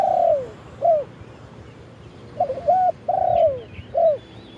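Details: Spotted dove kept as a branch-perch decoy, recorded live as it calls out to lure wild birds: mellow cooing phrases, some long notes sliding downward, others short and clipped, in irregular groups. Faint high chirps from other birds in the background.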